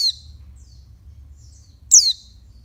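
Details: Stimulating call of a female oriental white-eye aimed at males: a shrill, high falling note near two seconds, the tail of another at the start, and faint high twitters over a low hum.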